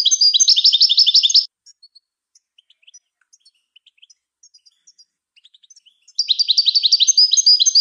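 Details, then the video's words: Song of a European goldfinch, used to train other birds: a rapid run of sharp twittered notes, then a pause of soft scattered chips, then the fast twitter returns, clear and close. "The Art of Goldfinch Singing"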